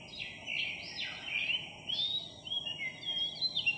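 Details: A Philippine magpie-robin sings on July 3, 2021 in a village where its shy flock has just settled; continuous melodious whistled phrases, with rising slurs and bright, high notes near the end, over faint steady hiss.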